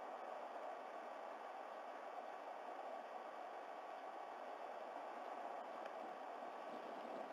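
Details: A steady broadband hiss like rushing water or wind fills the whole stretch, strongest in the midrange, with no calls standing out.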